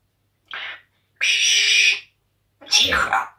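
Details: A pet talking grey parrot, swearing at its owner, speaks in three short, raspy, human-like bursts, the middle one a longer, strained phrase of under a second.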